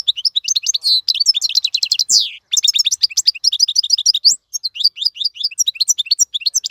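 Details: Tutor song of a European goldfinch (maqnin), used to teach fledglings to sing: a dense, continuous high twitter of chirps, short buzzy trills and one long downward sweep.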